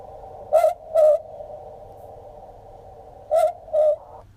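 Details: An Australian Boobook (Ninox boobook) in south-east Queensland gives its typical call, two soft, mellow two-note 'boo-book' hoots, the second note slightly lower, about three seconds apart over steady background hiss.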